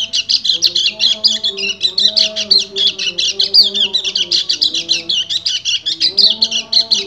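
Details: Breeding male white-eye, the kecial kuning, pouring out its ngecir song to attract a female: a long, rapid stream of sharp high chirps and trills that barely pauses, over soft low humming tones.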